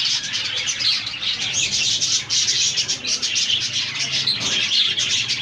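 Budgerigars warble in a dense, continuous stream of chirps, clicks and scratchy twittering notes.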